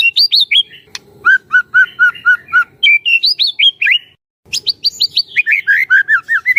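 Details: White-rumped shama song used as a trainer to make other shamas sing; rapid phrases of repeated slurred whistled notes near mid-high pitch, a series of evenly spaced downslurred notes, a brief pause, then another fast varied burst.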